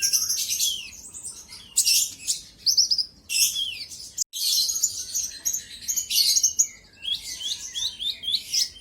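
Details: Olive-backed sunbird song meant to provoke a rival: long run of energetic, piercing chatter with downslurred whistles and scratchy trills, broken by a brief silence midway.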